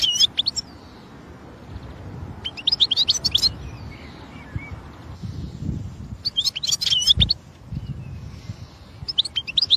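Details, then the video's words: European goldfinch in the wild: short bursts of rapid tinkling, twittery notes high in pitch, heard around the start, near three seconds, and again between six and seven seconds, separated by quieter gaps with low background rumble. "الحسون في الطبيعة"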